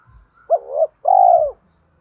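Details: One full phrase from a decoy spotted dove, thổ voice style, used to draw wild doves into calling: a brief broken double coo followed by a drawn-out smooth coo, with low soft bumps.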